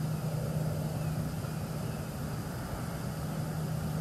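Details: Steady low engine idling hum throughout, with no animal calls heard.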